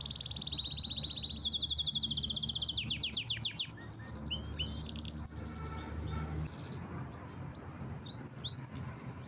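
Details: A canary's powerful song opens with a long, fast, rolling trill, then shifts into buzzy repeated phrases and brisk chip-like notes, against a low background drone.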